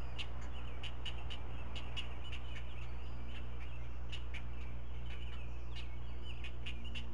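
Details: At a Chesapeake nest camera on 16 May 2017, four Great Blue Heron chicks clamour to be fed as the parent regurgitates single fish; quick series of hard clicks in clusters, some thin wavering cries, steady low hum.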